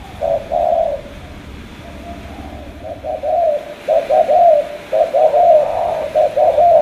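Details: Spotted dove, Cà Mau, Vietnam, opens with one coo, falls quiet, then launches a rapid string of low, rolling coo notes.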